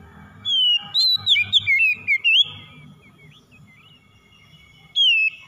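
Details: Song of an Oriental magpie-robin, used to get a stressed, silent bird singing again: a run of clear, varied whistles with quick upward and downward slurs, then a pause and one more short whistled phrase, low background rumble.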